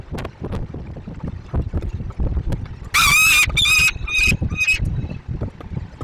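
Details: Young Peregrine Falcon Aurora (ring 8ES) at the ZEC Inowrocław nest box, apparently complaining, gives four loud, harsh, wailing calls in quick succession over a steady low rumble of wind or distant traffic.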